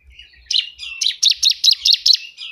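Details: Loud bar-winged prinia song, kept for training or luring birds: after a soft buzzy start, a steady run of about eight sharp buzzy high notes at an even fast pace.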